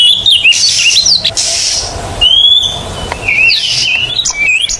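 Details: Oriental magpie-robin (kacer) singing energetically, a recording to make silent magpie-robins sing: clear drawn-out whistles alternating with quick jerky phrases, over a noisy hissing background.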